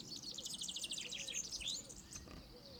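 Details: European serin singing, a bird that sings from an exposed treetop perch to mark territory or attract a female: a rapid, high, jingling twitter of dense buzzy notes for almost two seconds, then quieter scattered chips.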